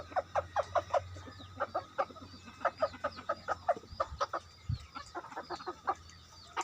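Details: Chicken kept as a decoy clucks steadily, short abrupt notes about once a second with occasional quick doublets, over a low steady hum.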